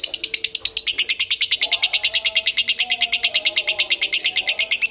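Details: Kebon Kopi style lovebird song, an unbroken run of bright, piercing chirps, roughly eight every second, strong and even throughout, with soft low tones drifting in the background.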